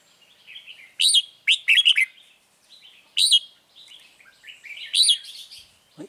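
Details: Red-whiskered bulbul at a bird trap with a caged lure bird, 9 March 2020: a lively run of bright chirping phrases, with sharp, loud note clusters about every second between softer warbling.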